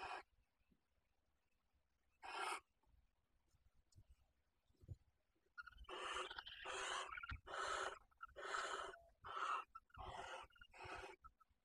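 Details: Common kestrel pair breeding in a nest box first installed for barn owls at Riet Vell ornithological reserve, Ebro Delta, Tarragona, arriving with what seems a field mouse; harsh, hoarse rasping calls, a series of about eight after two earlier ones.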